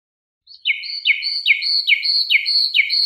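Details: Nightingale song from a recording tape: a clear series of whistled notes, each sliding down sharply from high to lower pitch, repeated about every half second after a brief silent start, with no other sounds.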